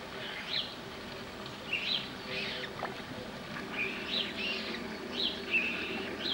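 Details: Mating common moorhens (Gallinula chloropus) at a wetland in central France on 27 April 2012, three-week-old first-brood chicks present: a loose series of brief, harsh, high notes given every second or so, over low ambient noise.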